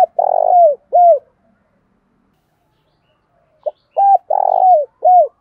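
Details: Spotted dove lure bird cooing to draw wild doves, constantly switching song patterns: two phrases, each a short note, then a long buzzy purring coo and a falling, curved final note, separated by about two and a half seconds of silence.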